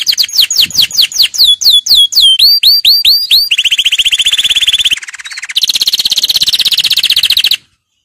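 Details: Canary song for training: fast series of sweeping, slurred chirps repeated rapidly, then long dense buzzy trills at steady pitch, a brief pause, and another loud rolling trill before ending in silence.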